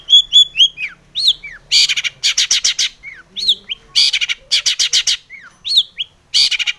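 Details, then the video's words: Long-tailed shrike in vigorous song with a rich mimicked repertoire, played to spur other shrikes to sing: clear slurred whistles, some falling, alternating with loud, harsh rasping bursts in quick rhythmic groups. "SUARA cendet gacor ARECARE pancingan cendet agar bunyi EMOSI"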